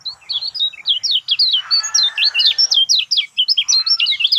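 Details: Lemon-bellied white-eye song played to prompt a mute bird to sing: quick, high, zigzagging chirps in an unbroken chatter, with a faint lower warble behind.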